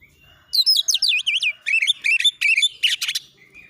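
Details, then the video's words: Oriental magpie-robin singing hard and fast as a training lure: loud, rapid, varied whistled phrases of swooping notes and sharp chips, packed closely together for about three seconds. "masteran Kacer NGOTOT NEMBAK MATERI PANCING CEPAT KACER IKUT NGOBRA NARUNG"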